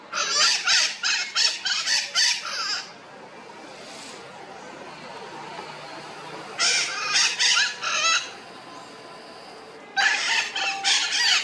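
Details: Red-shouldered macaws returning about an hour after leaving early in the morning to check that their nest has not been taken; harsh, raspy squawks in rapid runs of several notes, three bursts separated by quiet gaps.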